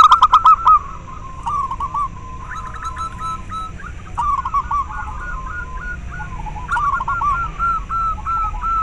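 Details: Call of a local zebra dove, meant to spur captive doves to sing and breed and to attract wild ones. A loud burst of rapid notes opens the recording. Quieter runs of fast, rolling, mid-pitched cooing follow, with slurred notes, over a constant low hum.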